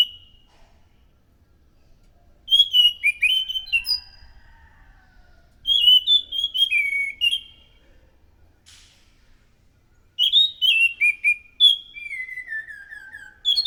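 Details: Chestnut-capped thrush singing persistently and loudly, its song used as a lure: three separate bursts of rapid, varied whistles and slurs, each about two seconds long, the last ending in a descending warbled run.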